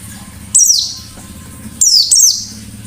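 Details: White-eye singing forest-style with sharp shooting notes as a lure: three loud, shrill, rapidly descending high bursts, the last two close together, over a faint low background hum.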